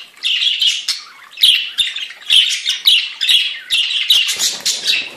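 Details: A group of budgerigars warbles in a dense, scratchy, high chatter, broken into bursts about a second long with brief dips between them.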